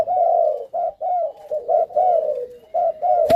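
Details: Captive Malaysian spotted doves, a male paired with a female for breeding; loud, close, hoarse coos in quick separate bursts, about seven in three and a half seconds, ending with a sharp click.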